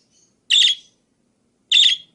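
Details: Budgerigar call variations for use as tutor material for other cage birds: a pair of loud, grating chirps about 1.2 seconds apart, each short and buzzy, against a silent background.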